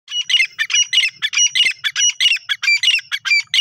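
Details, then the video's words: Grey francolin calling loudly with harsh, squawky, rhythmic notes repeated in a rapid, continuous series, each note a grating burst; no other sounds stand out. "gora teetar ki awaz"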